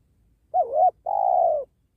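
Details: Penguku-type spotted dove at a trapping site by a sacred tree utters one coo phrase: a wavering introductory note and a drawn-out, gently pulsing second note that drops slightly at the end, little else heard.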